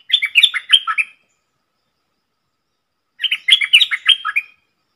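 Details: Dok taeng style song of a red-whiskered bulbul kept as a decoy, played for young birds to copy and to attract wild birds: two quick bubbling, chattering phrases of about a second each, separated by two seconds of silence.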